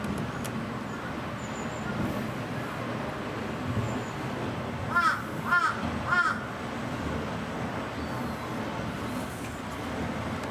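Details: A Svalbard rock ptarmigan at a zoo in Akita, Japan, recorded November 2002, gives three harsh, croaking calls about half a second apart, over steady background rumble and hiss.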